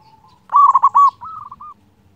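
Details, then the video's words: Zebra dove song used as a master recording to make lazy birds sing: one loud rolling coo of quick pulses trailing into a softer, fading series of trilled notes. "Perkutut lokal gacor suara besar Masteran perkutut bikin yang malas jadi bunyi"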